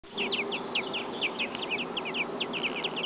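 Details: American robin nestlings a few days old beg while waiting for food in a backyard nest. They give a rapid, continuous chorus of thin, high chirps that overlap, several every second.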